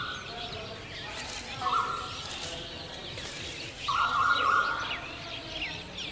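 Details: Striated babbler (Argya earlei) at its nest with eggs and chicks gives two drawn-out, nasal mid-pitched calls about two seconds apart over a faint scatter of higher chattering notes and soft background hiss.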